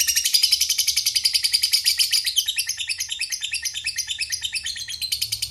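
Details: Lovebird giving a long ngekek chatter, a dense, rapid, high-pitched trill of buzzy notes that holds steady, then breaks into looser twittering phrases before running on again.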